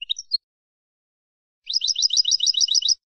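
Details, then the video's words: European goldfinch of the 'campero' type, used for training captive birds: brief high chips at the start, then after a pause a fast, bright, twittering run of repeated notes lasting just over a second, on a clean silent background. "cd jilguero para educar"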